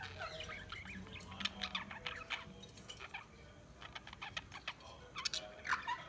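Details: Several Budgerigars (Melopsittacus undulatus) chirp loudly, chattering in quick, high chirps and warbles and calling over one another.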